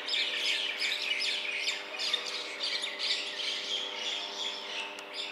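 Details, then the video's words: Common Mynas squabbling in Bangalore, perhaps fighting over territory or a partner, with a dense, continuous stream of fast, overlapping, mostly high-pitched harsh squawks and chattering notes over a steady low hum. "Common Mynas fighting"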